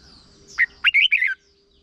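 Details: A single short red-whiskered bulbul phrase used to train young birds: four loud whistled notes, the first dipping, the last a warbling downward slur.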